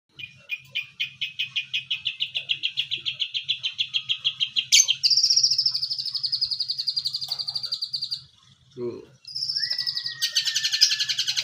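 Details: Young long-tailed shrike learning to imitate the cililin and then the tengkek buto: a fast series of sharp, high ticking notes speeding into a rolling trill, then a dense buzzy high phrase ending in a hissy burst.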